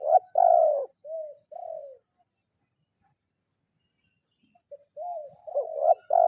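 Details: Spotted dove calling a rival, kuk 0-1 style: a burst of short and long coos with a couple of softer arched notes, a long silence, then the stuttered coos resume.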